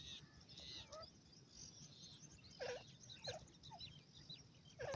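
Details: Female francolin (teetar) chick in the wild gives short, looping chirps that sweep down and then up, repeated at irregular intervals over a steady hiss of background noise.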